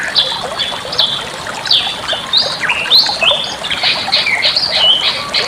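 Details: Bali myna song meant for tutoring other birds: jumbled chattering and short whistles, rising slurs toward the middle, then a dense, fast burst of squeaky notes at the end.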